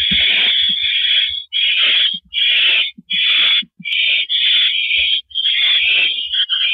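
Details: Owl on a porch perch, April 9, 2012, 8:17 PM, giving a nearly unbroken run of about nine harsh, breathy screeches, each rasping hiss cut by only brief gaps.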